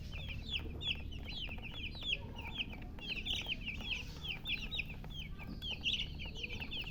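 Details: A crowd of hen's chicks chirping: quick, bright peeps, each bending downward, tumble over one another in a constant chorus, with a low background hum beneath.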